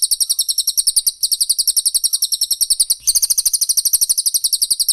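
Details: Training song of Cililin or Pelatuk Bawang for cage birds, 'tembakan rapat' style: dense runs of sharp, high, rapidly repeated chips, separated by two tiny breaks.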